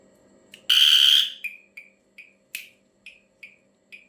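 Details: Ashy drongo giving a strange call: one long, harsh, rasping buzz, then a string of short, downward-slurred chips about every half second. Faint low hum in the background.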